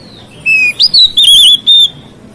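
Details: White-rumped shama singing to stir up other shamas, a short phrase of clear, sliding whistles that rise and fall, five or six notes ending on a held whistle, with a soft low background hum.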